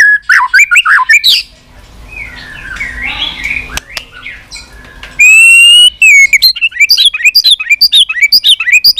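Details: White-rumped shama in continuous 'tạch' calling, used to rouse caged birds: quick downslurred whistles, a quiet pause with faint murmuring, a bright trilled note, then rapid sharp notes.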